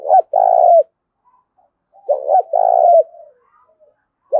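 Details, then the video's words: Spotted dove decoy singing its full Thổ Đồng song loudly: two phrases about two seconds apart, each a short wavering coo leading into a sustained burry coo that falls away at the end. "Tiếng cu gáy mồi đủ bài giọng to tướng đẹp giọng hay giọng đồng thổ hay"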